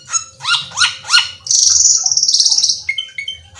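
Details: Black-winged myna in a varied song: three quick rising whistled notes, then a long harsh buzzy rasp, ending in short clear whistles. A faint low hum sits underneath.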